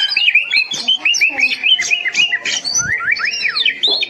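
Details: Training master song of an oriental magpie-robin, meant to get a mute kept bird singing: a dense run of sharp whistled slurs and chips, ending in rising and falling arched whistles and a short harsh note.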